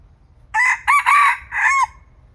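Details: A feisty young decoy cockerel of red junglefowl, kept for trapping in Thailand, crows once: a harsh opening note, two quick rising syllables, then a long falling final note, with soft background hum.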